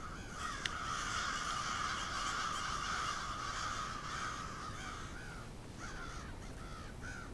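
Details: Large flock of crows on Steadman Street in Moncton, New Brunswick, Canada: dense, overlapping harsh caws merge into a continuous raucous chorus, with separate caws standing out near the end.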